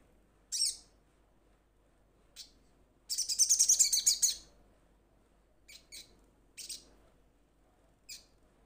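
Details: A ruby-cheeked sunbird calls to its companions with isolated thin high chips and one longer, fast buzzy twitter lasting over a second, followed by scattered single notes.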